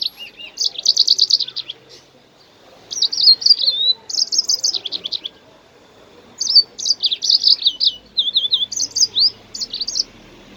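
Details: High, rapid jasmine bird song for encouraging other birds to sing: chattering trills and whistled slurs in three bursts separated by short pauses, with a faint hum in the background.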